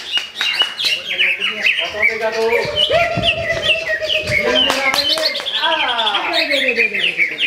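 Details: Greater green leafbird, first-place winner at a Ramadan practice singing contest in Sungai Batang Jawai, pours out dense, rapid whistled phrases with sliding notes and chirps, while other contest birds sing over it.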